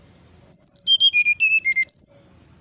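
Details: Brown-chested jungle flycatcher in 'nyuling' fluting song, said to stir up neighbouring birds. About eleven crisp whistled notes step down in pitch in quick succession, then a loud rising whistle closes the phrase.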